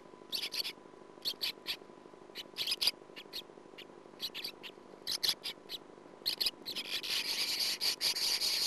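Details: Sand martin (Riparia riparia) nestlings in a burrow, nearing fledging about 17 days after hatching, give short, harsh, metallic notes in quick clusters, building into a dense, continuous chatter near the end.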